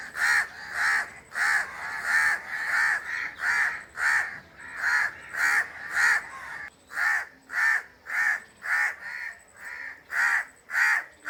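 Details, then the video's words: A crow caws continuously, about every half second, each call coarse and grating. Faint high ticking sounds show between some calls. "crow bird crowing"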